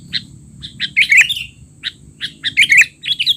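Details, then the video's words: Sooty-headed bulbul tutor recording for young birds, with rapid noisy calls: short sharp chips mixed with twisting, slurred whistles, delivered in quick uneven groups. "burung kutilang teler!! suara ribut paling cocok untuk kutilang bahan"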